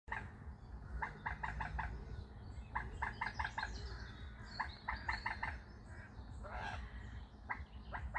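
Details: A waterbird heard around British canals and rivers from a boat gives rapid bursts of four or five clipped, gobbling notes, repeated several times over a low background rumble.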